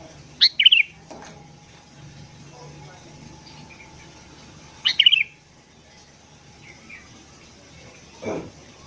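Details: ['Sooty-headed bulbul singing in the morning, used as a lure for wild birds: two short chattering whistled bursts about four seconds apart, faint chirps between, a soft thump near the end.']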